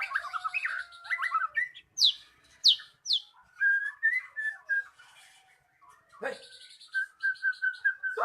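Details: Lure song of a magpie-robin, played to make a stalled bird sing: varied whistles, sharp high descending squeaks, a steady warbling run and a final quick series of clear repeated notes.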